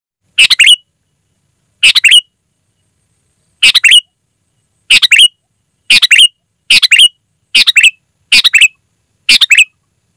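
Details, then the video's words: Sooty-headed bulbul singing vigorously, loud and clear, a recording used to lure wild birds: short bubbly three-note phrases, bright and slurred, repeated irregularly about every second over a silent background. "Suara Burung Kutilang Gacor, Asli tanpa isian, Lantang dan Jernih Ampuh untuk Suara Panggilan"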